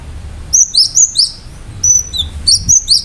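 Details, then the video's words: Cinereous tit in lively song with sharp shooting notes: loud, high, slurred whistles, each sliding down in pitch, given in quick groups. One longer, level, thin note stands out near the middle. "Gelatik batu gacor"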